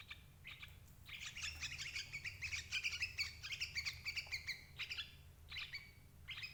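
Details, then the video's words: Sooty-headed bulbul calls used as a lure to trap parent birds: rapid bursts of bright, chattering notes in stacked bands, short phrases run together, pausing briefly, with a low hum underneath. "suara burung crucuk ampuh jebak indukan"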